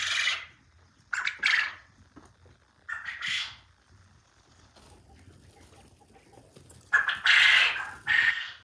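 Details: Quail crowing at a quail farm in short, harsh, buzzy bursts of about half a second each, coming in loose pairs with quiet gaps between and faint background rustling.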